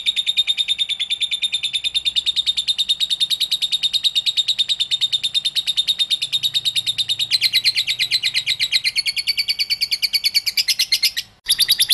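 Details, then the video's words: Lovebird ngekek song, kept to lure other lovebirds into singing: a long unbroken stream of fast, shrill, buzzy pulses, steady for about eleven seconds, shifting slightly higher near the end before a short gap. "INI CARA MEMANCING BURUNG LOVEBIRD, PASTI BUNYI MENDENGAR VIDEO INI.. LOVEBIRD SINGING"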